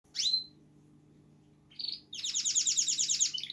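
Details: A male pet canary sings, which the owner says shows he is happy and healthy: bright, high notes, with a sharp falling whistle, a short buzzy note, then a fast rolling trill of rapid repeated chirps over a faint low hum.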